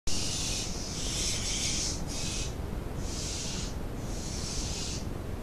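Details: Barn owl calling at night, just before 1 a.m. on 9 July 2018: five long, breathy, hissing screeches of about half a second to a second each, over a steady low rumbling background noise.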